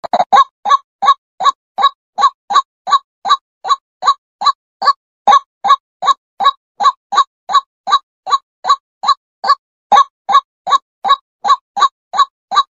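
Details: ['Female white-breasted waterhen giving a lure call used by trappers: a long, steady run of short harsh croaking notes, about two and a half per second, with even loudness throughout.']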